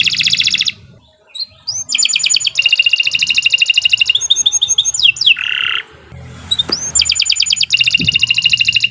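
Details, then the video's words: Long, lively canary song, used as a lure to make other canaries sing: a dense high trill, quick rising sweeps, then extended rapid pulsed rolls with a brief lower rattle, repeated many times per second. "Kicau Burung Kenari 148 II LUAR BIASA GACOR PANJANG Cocok untuk Masteran"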